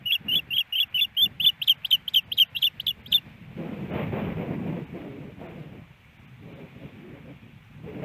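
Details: Female osprey at her nest in Hellgate Canyon, Missoula, Montana, on April 28, 2019, after a snowy morning, calling for a fish her absent mate never brings: about a dozen sharp, high chirps in quick series over three seconds, then low wind rumble.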